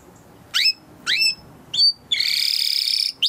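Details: Timbrado canary training song: three separate rising whistled notes about half a second apart, followed by a dense buzzy rattle and a final short note.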